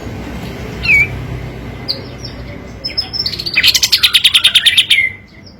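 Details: Olive-winged bulbul (kapas tembak) song used as a training lure to provoke quiet birds: scattered high chirps and whistles, then a fast, dense burst of sharp repeated notes, like rapid shots, lasting about a second.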